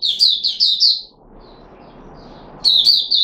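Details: Red-whiskered bulbul in a cage, recorded 13 April 2021 during a juice and mealworm feeding trial: a fast run of four chirps, a pause with soft hiss, then another short chirpy burst.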